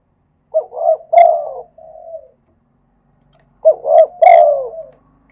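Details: Spotted dove singing in the khat and nun styles prized by Thai dove keepers: two similar phrases of rolling, throaty coos about three seconds apart, each ending in a softer, fading coo. Quiet background.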